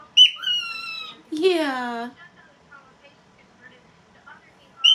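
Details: Cockatiel kept as a pet, talking, apparently with its phrase "big wings": a high note gliding downward, then a wavering, bending, harmonic-rich utterance falling lower. Quiet follows with faint soft chirps, and a fresh high call begins at the close.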